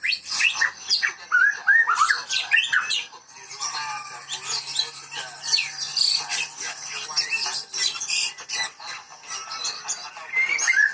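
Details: White-rumped shama of the Medan variety singing energetically: a dense, continuous stream of varied loud whistles, quick slurred rising and falling notes, trills and sharp chirps over eleven seconds, with a faint low hum underneath.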